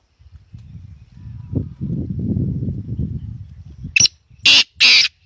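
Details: Black francolin giving three loud, harsh, grating notes in quick succession near the end, following a stretch of low rumbling background noise.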